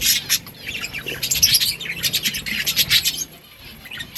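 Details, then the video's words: Budgerigars in busy high chirping, many quick twittering notes crowded together, then fading to quieter chatter for the last second. "Budgies parrot chirping sounds parakeet sounds"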